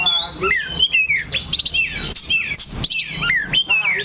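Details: Oriental magpie-robin (kacer) singing while perched steadily in one spot on its stand: a rapid, varied run of loud whistled notes with sharp up- and down-slurs and chattery phrases, closely packed, over a faint low hum.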